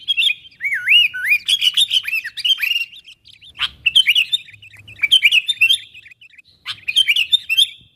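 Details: Sooty-headed bulbul calling its wild companions, used to draw wild bulbuls near: looping, liquid whistles that dip and rise in quick succession, then scattered chirps mixed with crisp clicking bursts.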